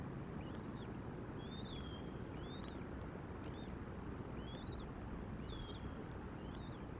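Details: Bald eagle at the nest in Decorah, Iowa, USA: thin, high whistled notes, each arching up then sliding down, repeated about once a second, over a steady loud low rumble of wind and background noise.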